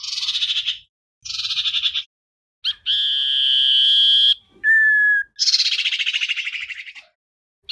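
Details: Common iora singing to call the flock, used as a decoy: buzzy rattles alternate with a long, steady, pure whistle, then a short lower whistle and another drawn-out grating burst.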